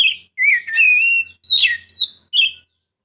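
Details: Oriental magpie-robin singing to encourage another bird: a long, level whistle glides into quick, sharp, rising whistled notes over a faint low hum.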